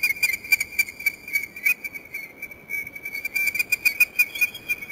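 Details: An American oystercatcher pair in courtship display at Mantagua, Valparaíso, Chile, in September 2006: loud, ringing whistled piping notes, three or four a second, over a steady high piping tone.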